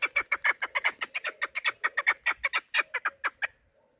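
A female chukar partridge gives a fast, harsh series of about twenty clucking 'chuk' notes, several per second, stopping abruptly after three and a half seconds.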